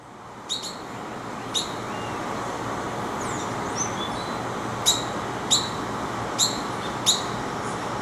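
Yellow-headed caracara giving six sharp, high, harsh notes at uneven intervals, with a faint softer chirp between, over steady traffic-like rumble.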